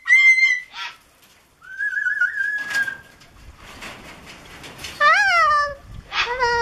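A Moluccan Cockatoo gives clear harmonic whistles, some steady and some sliding upward, plus a longer level whistle and short rough bursts, indoors.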